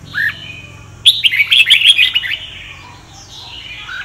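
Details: Red-whiskered bulbul of the Sông Kon style, used for voice training. A short low slurred whistle comes first, then a fast cascade of bright chirping notes that fades into a soft trailing warble.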